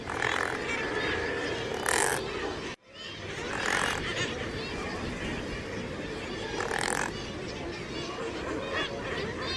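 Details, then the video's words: Razorbills give hoarse, grunting growls in short bursts about every two seconds over a constant roar of wind or surf. "SOUND OF A RAZORBILL 🔊 What does a razorbill sound"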